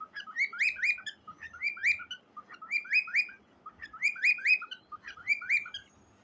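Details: Singing cockatiel beside a gray baby bird: clusters of quick rising whistled notes come in grouped bursts about every second, against a quiet steady hum.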